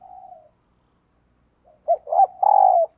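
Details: Spotted dove cooing as a decoy to draw in wild doves in the morning: a soft drawn-out coo, a pause, then two short coos and a long loud hollow coo.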